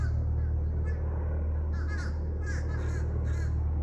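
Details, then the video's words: Crows gathering to roost in Wellesley, Massachusetts, July 18, 2024, giving rough, harsh caws in an uneven run, heard over a strong steady low-pitched drone. "Crows Preparing to Roost"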